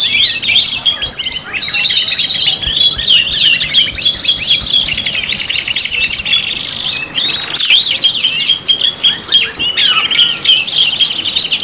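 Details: Canary song from a five-in-one canary lure mix: dense, high overlapping trills and rapid rising and falling sweeps, a brief dip near seven seconds, then more rolling trills to the end.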